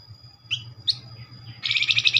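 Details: Flamboyan lure call of the nyerecet type: two short high upslurred chips, then a loud rapid burst of buzzy high chattering, over a low background hum.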